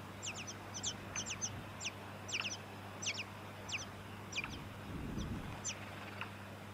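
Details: Tawny-crowned honeyeater in Victoria, Australia, September 2017, giving thin, high notes that drop steeply, in quick pairs and triplets about every half second, over a low steady hum.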